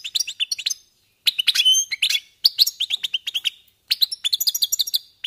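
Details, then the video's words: European goldfinches "warming up" sing in quick bursts of high, tinkling twitters and buzzy trills, broken by short pauses, with no other sounds. "jilgueros calentando motores"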